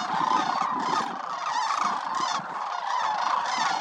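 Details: Wintering migratory sandhill cranes, part of a flock of more than 20,000 at the Willcox Playa Wildlife Area, fill the air with a dense, unbroken chorus of rolling, trumpeting calls from many birds at once.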